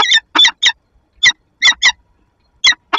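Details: Peregrine falcon female at a Lublin nest box on 15 February 2022, meeting her mate, caught on the nest camera: loud rasping chip notes, some doubled, in uneven bursts with brief silences between.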